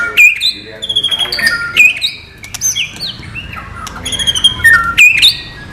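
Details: White-rumped shama (murai batu) singing in the non-gelembung style used as song training material: clear whistled notes, some rising, some falling, others steady, in short varied phrases with sharp high chips between them, against a low background hum.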